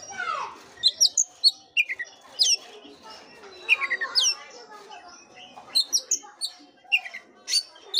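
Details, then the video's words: Oriental magpie-robin singing, intended to prompt a flat, unmotivated bird to sing: a mix of descending whistled slurs, thin high squeaks and buzzy chattering notes with a soft background hiss. "pancingan kacer jitu dan ampuh buat kacer loyo kurang ber gairah.!!!"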